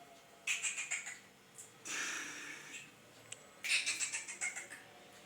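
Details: Grey francolin (teetar) giving harsh, high stuttered bursts of rapid pulsed notes, two bursts separated by a breathy rushing sound, in a quiet room-like setting.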